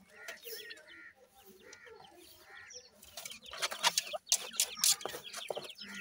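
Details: Grey francolin family with five chicks: short arched chirping notes repeat about twice a second for three seconds, then give way to loud clattering and rustling noises.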